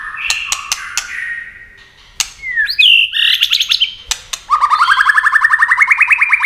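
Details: Competition singing of a white-rumped shama, rapid song with wing flicks and constant tail play: varied whistles and sharp clicks, then a long fast series of rising buzzy notes near the end.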